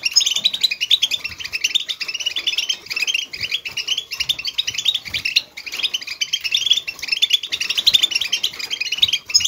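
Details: European goldfinch of wild stock giving batbata-style song meant to excite other goldfinches to sing; rapid, unbroken chatter of bright twittered notes and short buzzy trills, lively and high-pitched throughout.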